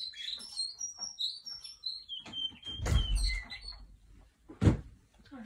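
A Russian canary sings a run of bright, high whistles and rapid trills for about four seconds, broken by indoor thumps and knocks.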